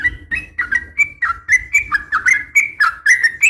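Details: A female yellow-vented bulbul calls to a male with quick, liquid, slurred whistles, about four per second, some rising at the end. Soft low background noise accompanies them.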